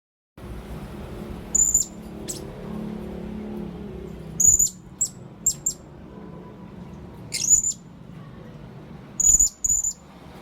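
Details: Blue-crowned hanging parrot calling, used as a lure for birds: very high, thin, sharp squeaky notes given singly or in quick groups of two or three, separated by pauses of a few seconds, over a steady low background hum.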